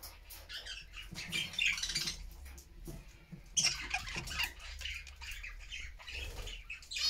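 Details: A happy flock of pet budgerigars in a homemade cage chatter in a steady stream of high, scratchy warbles and squeaks, several birds overlapping, with brief louder bursts.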